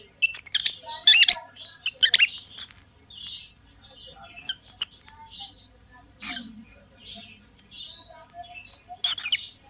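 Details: A pair of lovebirds chirping: sharp, harsh broadband squeaks in quick clusters, interspersed with softer twittering notes and a low steady hum behind.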